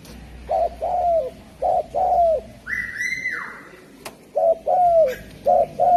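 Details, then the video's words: Javan spotted dove coos rhythmically, short note then longer falling note, about once a second. A loud, buzzy harmonic whistle from another bird cuts across the middle, and a single sharp click is heard. "Suara Burung Derkuku Jawa"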